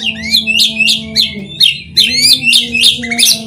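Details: White-rumped shama singing, used as a lure for other shamas: a fast string of high, sharply falling notes repeated about three times per second, loud and bright, with a low hum in the background.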